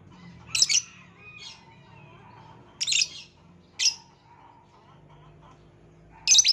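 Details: Violet lovebird uttering loud, raspy high squeaks every second or so, with fainter chirps between and a low background murmur throughout.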